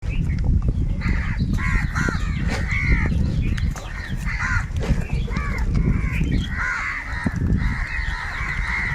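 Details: Huge flock of crows fighting for food, many harsh overlapping caws crowding the air continuously, with a low rumbling background of wind or traffic.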